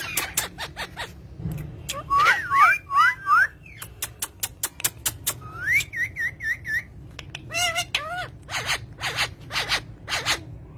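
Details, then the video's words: Green pet talking parrots: sharp clicks and taps, then looping whistled up-and-down notes, a run of even repeated whistles, and a buzzy, harmonic wavering call, with a low indoor hum. "talking parrot"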